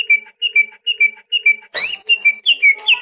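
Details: Greater green leafbird singing to encourage young birds: a brisk run of paired whistled notes repeated about twice a second, broken once by a harsh rasping burst before the whistles resume.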